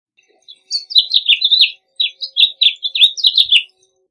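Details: House finch singing, a lively warbled phrase of quick chirped and slurred notes, several dropping downward, running for about three seconds before ending with a few short notes.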